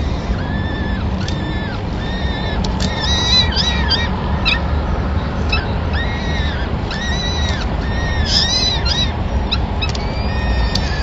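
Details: Peregrine falcons at a nest in Madrid on 26 April 2016, as the male brings the day's first food, a small bird, for all the chicks; arched, wailing harmonic calls repeat throughout over constant low city rumble.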